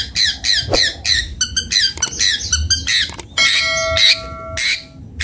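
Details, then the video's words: Long-tailed shrike (cendet bondol) delivering choppy squeaky notes and rattles, then a ringing, bell-like held tone near the end. "Suara merdu burung cendet bondol"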